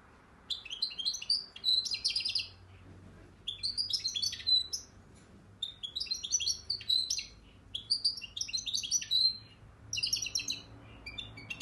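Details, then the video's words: A European goldfinch in Akhisar, Turkey, sings bright, tinkling twittered phrases about two seconds long, five in a row with brief pauses, over a faint low hum. "saka kuşu"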